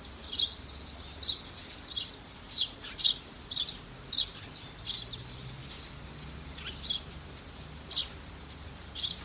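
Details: Young Eurasian tree sparrow calling on 3 October 2015, recorded with a Canon PowerShot SX60 HS and an external Panasonic microphone. It gives short, sharp high chirps, about twelve in nine seconds, irregularly spaced, over a faint low background hum.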